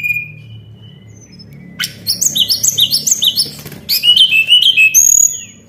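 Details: White-browed shortwing song used as a lure, opening with a quiet thin whistle, then quick repeated chattering notes and bright warbled whistles rising to a long high tone.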